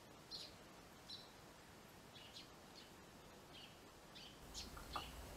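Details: Nesting Eurasian tree sparrows occupying a new nest box after losing last year's breeding site; quick, repeated high chirps, roughly three per second in bursts, with a light knock near the end and steady background hiss.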